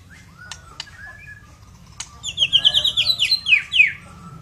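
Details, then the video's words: A Medan-type white-rumped shama in full song bursts into a rich, fast run of varied whistles and slurred phrases after a few sparse opening notes, over a faint low hum. "The White-Rumped Shama"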